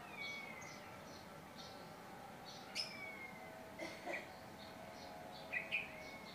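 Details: Tame Javan myna, said to be able to talk: faint drawn-out descending whistles, soft rising whistles and several short sharp chirps in bursts, over a steady low background hum.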